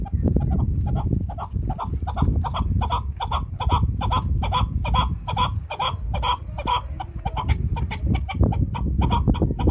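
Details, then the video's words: A chukar partridge gives a long, steady run of harsh, clucking chuck notes, about two each second, over a constant low rumble. "Chakor ki Awaz | Chakor Sound | Keklik Sesi Sound | Chakor best Sound"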